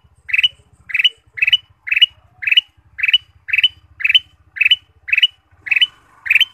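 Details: Ruby-throated bulbul song used as a lure for caged birds: about twelve brisk, bright chirp bursts repeated roughly every half second, with a steady low buzzing hum underneath.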